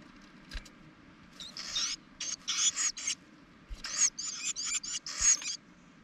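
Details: Carolina wrens nesting in spring atop a propane tank: two clusters of rapid, scratchy, buzzy bursts over about four seconds, with a few soft low thumps.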